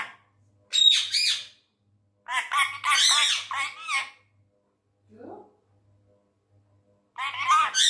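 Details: Tame male Indian ringneck parrot, angry, talking in Urdu/Hindi indoors: bursts of shrill, raspy speech-like phrases in three groups with silent gaps, plus a faint low hum in the room.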